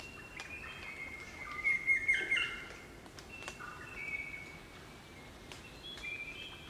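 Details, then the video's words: Crimson rosellas in a group in the Australian bush at Barrington Tops National Park, New South Wales: clear bell-like whistled notes, drawn-out and level, several overlapping, with brief chattering and squeaky notes between them over a quiet bush background. "Crimson Rosella Calls & Sounds"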